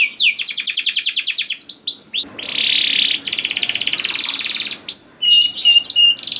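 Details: Rolling canary song used as a lure for young canaries: a fast metallic trill, a few swooping whistles, then long buzzy rolled phrases, ending in clipped high chirps and short trills.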